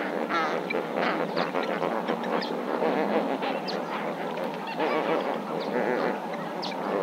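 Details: Lesser flamingos calling at Marievale: an unbroken chorus of honking and gabbling from many birds at once, with repeated short nasal notes rising and falling in loudness.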